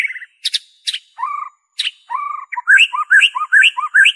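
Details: Pure white-rumped shama song, used to coax captive birds into singing and attract wild birds: sharp high chips and lower slurred phrases, then a rhythmic run of repeated two-note whistled phrases.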